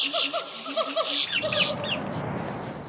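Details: Bushy-crested hornbills in a group at Lower Kinabatangan, resting in canopy shade from the hot afternoon sun and preening: a run of hoarse, gull-like rising yelps repeated quickly, then a wash of rough background noise.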